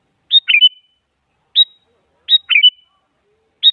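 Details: Sooty-headed bulbul, a female calling a male, used as a lure: single sharp chirps alternating with bubbly three-note phrases that end in a short whistle, in a clean quiet recording.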